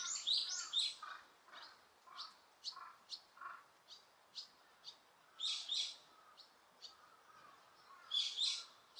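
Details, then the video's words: Birds in Osaka Castle Park, Japan, with noise reduction: loud bursts of sharp, high chirps cluster at the start, middle and end, linked by quieter rapid ticking notes. "大阪城公園 鳥の鳴き声"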